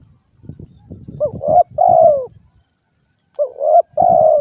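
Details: Spotted dove, derkuku, cooing two phrases of a short rising note and a longer falling coo, with low thumping and rustling noise around the first phrase.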